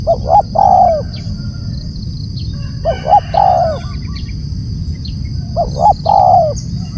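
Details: A spotted dove calls loudly, three phrases repeated about every two and a half seconds, each two short low notes then a longer quavering coo sliding down, over a steady high whine and low background noise.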